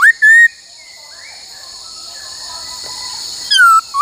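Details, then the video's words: Trained laughingthrush singing "bắt cô trói cột", with two short whistled notes at the start and a falling then rising whistle after a long pause, over a continuous high buzzing drone. "Luyện khướu hót bắt cô trói cột , luyện hót nhiều giọng cực hay"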